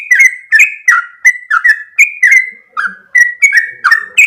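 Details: Sooty-headed bulbul in full song, long rolling delivery of bright whistled notes in a quick sequence, with a short pause midway before the whistles resume.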